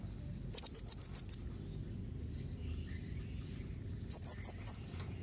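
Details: Blue-crowned hanging parrot giving a sharp calling sequence meant to prompt other birds to reply: a rapid burst of six piercing high notes, a long pause, then four more shrill notes, with a faint steady electronic whine behind.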